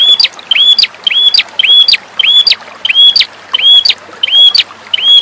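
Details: Red-headed prinia (perenjak kepala merah) song, used as a master recording to prompt lazy birds to sing: sharp, high, chirping notes with a quick upward flick, about two per second in a steady looping series.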